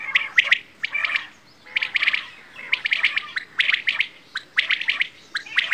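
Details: Bedana or batair quail producing clusters of sharp, high chirps in bursts about every second, with short silent gaps separating the groups.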